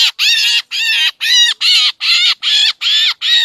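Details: Black drongo calls played to lure birds for trapping: eight rasping, buzzy notes with arching harmonics, delivered steadily at roughly two and a half per second, no other sounds.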